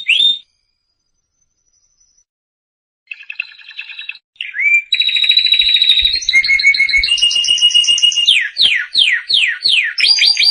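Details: Canary song meant for training young canaries: a brief rising note, soft trills after a pause, then loud flowing song of long rolling trills and a run of fast, repeated downward-sweeping whistles.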